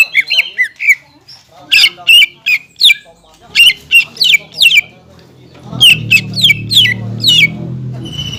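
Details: Green leafbird bait song aimed at provoking rivals into singing. Harsh, explosive notes in a rhythmic row, about two to three a second, with a low humming background growing louder in the second half.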